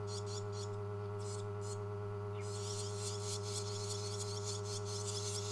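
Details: Several rescued, hand-reared swallow chicks, siblings kept together. High raspy chirps come in short separate bursts at first, then merge into a dense continuous chattering chorus from about halfway, over a strong steady low electrical hum.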